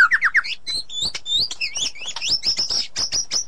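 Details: White-rumped shama song, edited for clarity and played to get a silent bird singing again: rapid descending notes give way to quick slurred whistles and chips at varied pitches, dense and unbroken.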